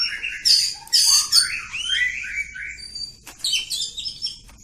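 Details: Oriental magpie-robin of the village type delivering a long, continuous song of the style called ngacor: varied whistled phrases, rich high warbles and falling slurs, with a sharp click partway.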